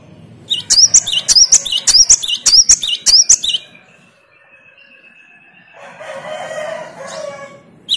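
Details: Great tit responding to another great tit's lure song: about three seconds of fast, repeated ringing two-note phrases with rising slurs, followed by a faint thin tone and then a burst of low broadband noise.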